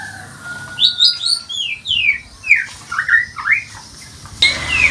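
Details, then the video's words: Morning lure recording of a white-rumped shama: loud slurred whistles and downward-sweeping phrases with short gaps, a steady low whistle underneath early on, ending with a sharp higher burst. "pancingan murai batu pagi hari"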